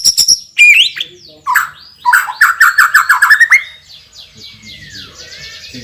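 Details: White-rumped shama song, loud: a sharp high note, rising whistles, then a quick series of lower chattering notes before fading.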